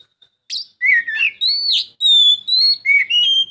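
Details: Rich whistled phrase from an Oriental magpie-robin, meant to stir a silent bird to sing: a scratchy opening note, then long pure whistles that slide up and down in quick succession.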